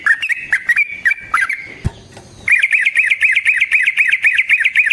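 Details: Yellow-vented bulbul fighting song used as a lure and training master: chirpy notes, then a brief pause with a low thud, followed by a fast, even rolling trill of rapid repeated notes to the end.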